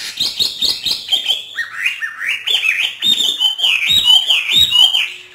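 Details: Trained caged hwamei from northern Vietnam singing hót thả: a continuous flow of clear, rolling whistled notes, steadily rising and falling in a rhythmic, melodious stream.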